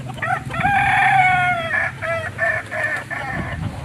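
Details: Kukuak Balenggek chicken of Solok, West Sumatra, gives a stepped crow: a drawn-out opening note followed by a string of about six clipped syllables, each roughly a third of a second apart, with steady low background hum.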